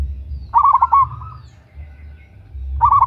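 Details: Female local zebra dove calling to a male, a loud, vigorous lure call: a rapid run of bubbling low coos trailing into a drawn-out note, then a second quick coo burst about two seconds later.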